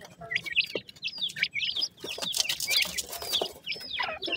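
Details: Dakhni teetar (francolin) chicks calling together: a busy stream of high, thin peeps and short downward-slurred chirps, overlapping and irregular, with faint clucking notes beneath.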